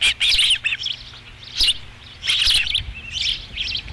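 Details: Osprey nest at Dunrovin Ranch, 13 July 2016, fifth fish: scattered bursts of high, squeaky chirps separated by quieter pauses.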